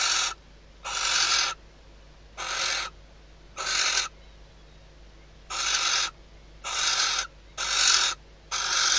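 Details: Inside a nest box in Spain's Ebro Delta, a female barn owl calls at night to the male on the outside perch before mating, near hatching time. Eight coarse hissing screeches over nine seconds, with one longer pause.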